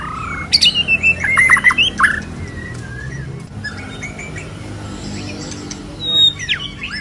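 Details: White-rumped shama in moult singing: a burst of clear, varied whistled notes and short rising slurs over about two seconds, then near silence with a few faint, high notes near the end.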